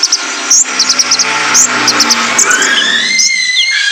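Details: Male kolibri ninja, a training recording for caged birds: quick pairs of very high chirps over hiss, followed by long, thin rising and falling whistled notes.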